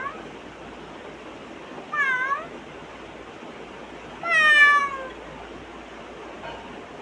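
A grey parrot gives two cat-like meows, each a falling nasal tone about two seconds apart, the second longer and louder, over a steady background hiss.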